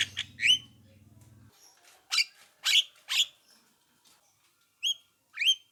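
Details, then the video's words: Javan myna voice meant to draw replies from other mynas: a low mechanical hum at the start, then loud, harsh rasping notes, followed by two clear, upslurred whistles. "apapun jalaknya jika diputarkan suara jalak kebo ini pasti langsung nyaut"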